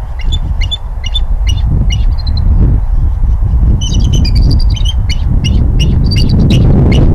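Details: Bald eagle at the nest in Redding on 22 March 2021 around 18:19, giving bursts of high, thin chirping and piping notes in quick irregular series, denser in the second half, over heavy low wind rumble.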